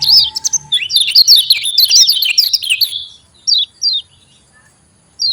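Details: Javan white-eye lure song to encourage reluctant white-eyes: a rapid, tumbling twitter of high warbled notes for about three seconds, then isolated paired down-slurred chirps after pauses.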